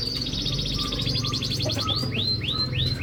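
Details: Canary singing to prompt a silent bird to sing: a rapid, rattling high trill, then a string of four loud upward-swooping whistles, with low background music underneath.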